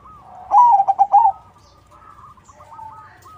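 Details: Crossing-type zebra dove singing as a lure to make other zebra doves answer: one loud, rapid phrase of four or five throbbing coo notes, followed by quieter, drawn-out cooing from more distant doves.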